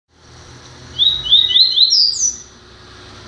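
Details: Double-collared seedeater, a newly acquired bird, sings one short phrase of four or five rising high whistled notes, each stepping upward, ending in a sharper high slur, over a steady low hum.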